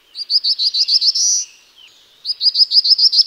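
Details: One full Black-throated blue warbler phrase, a rapid string of high tinkling notes swelling into a sustained rising buzz, then a short quiet gap, a soft slurred note, and the opening of the next phrase.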